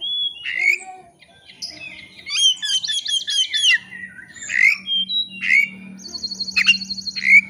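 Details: Oriental magpie-robin singing actively as if challenging a rival, a lure to draw out another bird's full repertoire: rich whistles, rapid chattering trills and high buzzy rattles, sharp upslurred notes, steady low hum behind.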